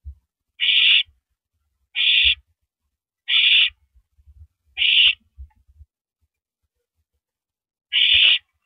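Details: Owl at its nest on the night of April 9, 2012, 9:14 PM, passing a rabbit to its mate after eating its fill; five harsh, hissing screeches, each about half a second, with soft low thumps between.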